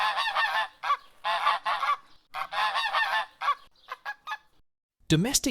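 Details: Domestic goose honking, a call used for communication within the flock and to alert others to threats: loud, nasal, resonant honks in uneven runs of short blasts, then a few softer ones, ending with a human voice.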